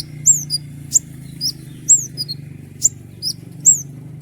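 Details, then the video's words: Common iora singing persistently as a tutor for other songbirds. Bright, high slurred whistles alternate with short sharp chips at uneven intervals, with a steady low hum in the background. "roll tembakan panjang dengan tonjolan tajam mewah dari konin gacor"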